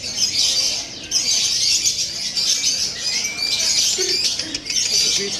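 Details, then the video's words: Lovebirds kept as fighters, squabbling: dense, shrill, high chattering and rasping squeaks pour out almost without pause, rising and falling in bursts, with a faint human voice underneath. "LOVE BIRD FIGHTER || NYARIS KONSLET"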